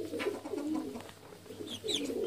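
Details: Mother hen with her chicks, giving low, soft murmuring clucks in short runs, with a few faint high chick peeps near the end, recorded indoors in a small, quiet space.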